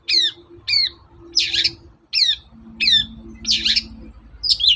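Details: Morning song of a long-tailed shrike, used as a lure to provoke other shrikes into singing: repeated downslurred whistled notes alternate with harsh rasping bursts, over a low steady hum.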